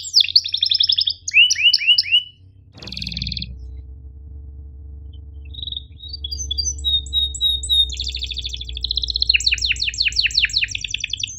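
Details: Long canary song with sharp 'cuit ngerol' chirps and rolls, meant to tutor canaries that rarely sing: fast descending chirps and trills open, a thump and low hum follow, then faint notes before dense high rattling trills return.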